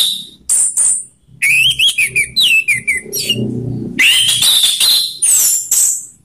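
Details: Orange-headed thrush in ngeplong song, combining rough and slow voice. Rapid runs of clear whistled notes, upslurred phrases and chattering trills in quick succession, broken by brief pauses. Faint low rumble underneath.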